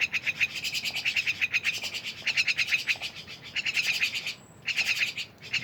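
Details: Myna chatter of quick clicking and rattling pulses in short runs, with one brief quiet break midway.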